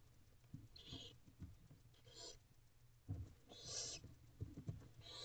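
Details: Quad barn owlets in a nest box at 2:55 am, constantly hungry, beg while their mother feeds them, producing uneven, scratchy hissing bursts amid clicks and bumping noises.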